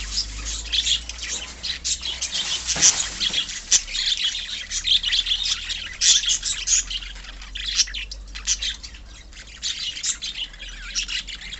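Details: Budgerigars kept as pets in a colony, twittering and chirping in a steady, overlapping flock chorus of high, quick notes that thins out toward the end.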